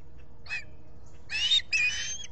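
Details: Osprey at the Salt Point nest in the Finger Lakes, US, on 23 July 2021 around 8:40 am, with a visitor at the nest. A faint note, then two loud, harsh, high chirps. Captured by a solar-powered nest camera.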